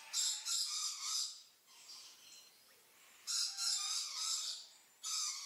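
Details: Red-billed leiothrix, a laughingthrush also called Chinese Nightingale, giving fluting song: three bright warbled phrases separated by short pauses, each a quick run of high notes over a steady lower whistled tone.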